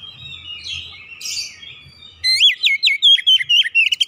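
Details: Old house-kept Oriental magpie-robin (kacer) singing in heated 'ngoyak' style and unloading its repertoire on hearing another bird: soft varied warbling, then from about two seconds a loud run of sharp, rising whistled notes repeated rapidly.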